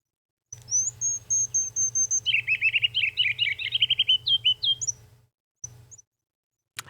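Ruby-crowned Kinglet song: thin, very high notes, then a fast, rich, bubbling warble of repeated phrases ending in sharp rising chirps. A low hum lies underneath.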